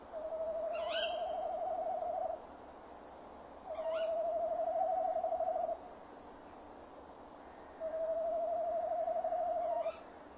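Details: Male tawny owl calling near its nest box on 15 December 2015 at 17:10: three long, trembling hoots of about two seconds each, spaced roughly four seconds apart, with faint high upward chirps before each.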